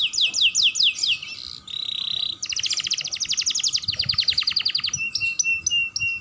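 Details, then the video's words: A young canary sings, recorded to stimulate other canaries: quick descending notes, a short buzzy tone, then long rapid rattling trills and a thin steady whistle with high chips. "Pancingan Kenari Muda Gacor Dor || Pancingan Kenari Paud"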